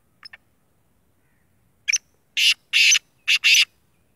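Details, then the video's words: Black francolin, a full black 'sheedi' bird, sounding off with a soft clipped double note, then a burst of five harsh, buzzy, grating syllables, the middle ones longest, over near-silent surroundings. "kala tetar awaz"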